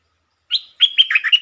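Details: Short, pleasant song phrase of a red-whiskered bulbul used as a lure: one clear note, a brief pause, then a rapid string of liquid, warbling whistles.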